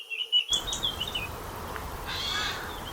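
A Eurasian Jay gives a thin, falling whistle, then a brief harsh, rasping screech about two seconds later, over a steady background hiss.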